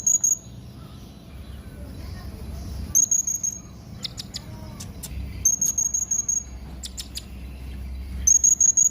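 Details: Yellow-throated hanging parrot calling in rapid clusters of shrill, high-pitched squeaks, with about five bursts in under nine seconds. Scattered clicks and knocks sound in between, over a faint low hum.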